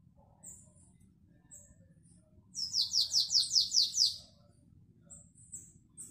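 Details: Canary singing classic Belgian song (Canto Belga), 2021. Short high chirps lead into a steady roll of about eight bright falling notes lasting a second and a half, then more brief high chirps.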